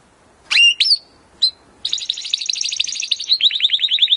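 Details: Timbrado canary song meant to improve other canaries' singing: a few sharp separate chirps, then a long rapid rolling trill that slows into distinct repeated notes.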